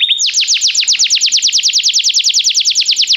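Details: Belgian canary singing as song stimulation and training: a loud, rapid run of high descending whistled sweeps, about eight per second, steady throughout after a brief flat opening note.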